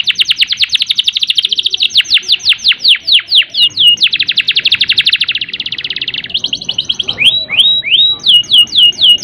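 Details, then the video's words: A canary sings long, rapid rolling trills of repeated high chirps, switching between fast buzzy rolls and slower sweeping whistled notes, a recording meant to stimulate less-motivated canaries into song and breeding condition. "Kenari Gacor Ngerol Panjang Untuk Pancingan Kenari Yang Kurang Emosi Dan Birahi"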